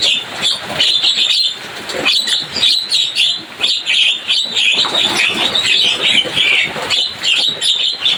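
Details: Javan myna chirping, making a lively racket: dense, harsh, scratchy chatter in quick bursts that runs almost without a break for eight seconds, with short dips between phrases.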